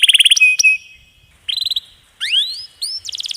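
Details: Canary master recording with long rolls: short pulsing buzzy rolls separated by quiet gaps, a thin sustained whistle, then rising slurred whistles and a final pulsed roll.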